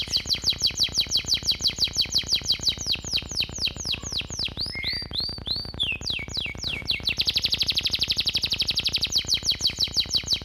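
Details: Canary master-vocal song with sparrow, cigun and flamboyan fill-ins: long rapid trills, a burst of swooping down-slurred whistles, then a very fast buzzing high trill, all over a constant rhythmic ticking pulse.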